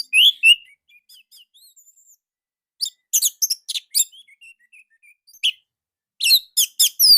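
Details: Short, loud song of an orange-headed thrush, used as a training lure for young birds, with bursts of sharp chirps and whistled notes separated by quiet soft twitters and a brief pause.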